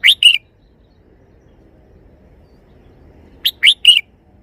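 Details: Song of a red-whiskered bulbul, the three-syllable type. It ends one phrase with two whistled notes, then after about three seconds gives a full phrase of three bright notes: short, rising, then a level whistle.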